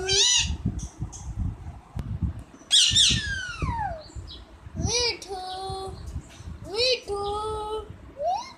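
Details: Parrot talking with a child: a mix of sharp high squawks, long down-sweeping whistled notes and short flat tones, spread irregularly between pauses, with a child's speech heard in the background.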